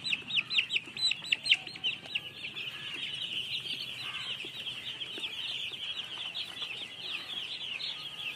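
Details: Baby chicks chirping, a dense chorus of high, thin peeping notes running continuously, with a few louder separate cheeps at the start over a soft background hiss.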